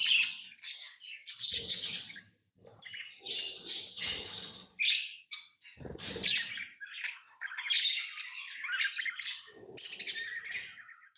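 Lovebirds chatter in harsh, high, buzzy chirps and squawks, bursts tumbling over one another almost without pause, some notes squeaky and rising.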